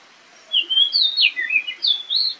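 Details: A wild Oriental magpie-robin sings while fighting, caught on camera. Loud, rich whistled phrases slide up and down and change quickly, filling over two seconds without pause.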